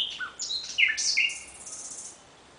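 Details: Common nightingale heard at night: a short burst of varied high whistles and chirps, a few buzzy notes in the middle, then a hissing, fading tail.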